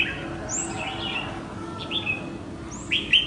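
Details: Red-whiskered bulbul, a loose, apparently wild bird that flew to the house to spar with a decoy bird, giving a few short, bright chirps and quick slurred notes over a steady low background hum.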